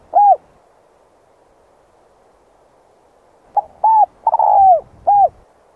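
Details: By a river in the morning, a spotted dove calls to attract wild doves: one lone coo, a pause of about three seconds, then a full phrase of a stutter, a coo, a long falling coo and a last short coo.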